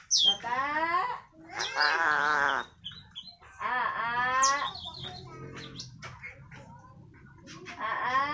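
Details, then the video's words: Eclectus parrot imitating human speech: bursts of wavering, voice-like harmonic phrases about a second long alternate with harsh, buzzy utterances, separated by brief pauses and a few faint clicks. "burung ajaib bisa menirukan suara manusia"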